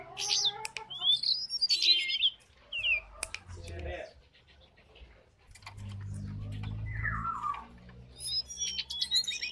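A lesser shortwing gives bursts of high, thin, rapid jumbled notes, pausing midway, over a low background rumble.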